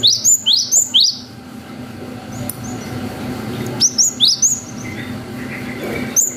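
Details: Gelatik batu, the cinereous tit, in lively 'wucit panjang' song meant as a lure for young birds. Short runs of three to four piercing rising whistles are separated by a quiet pause with faint background hum.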